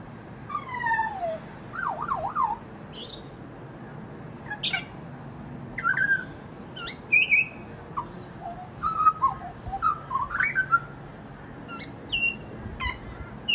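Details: Mimicking butcherbird delivering a varied run of sounds: rapid descending and zigzagging whistles, then scattered chirps, clicks and short upslurred notes through the phrase, with brief gaps.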